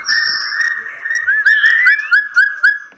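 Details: Captive white-rumped shama sings a steady mellow whistle broken by a string of short upslurred notes, about four of them in the final second and a half, with a brief high tone at the start.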